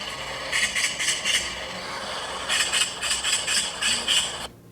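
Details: A Eurasian magpie's harsh, rattling chatter call, described as a kind of alarm call: two runs of rapid grating notes, about four per second, over a steady background hiss.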